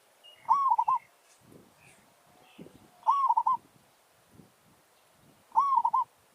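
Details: Village zebra dove (merbok) decoy bird calling to challenge wild doves in a territorial contest, giving three bubbling, staccato cooing phrases about every two and a half seconds, over faint background rustling and distant chirps.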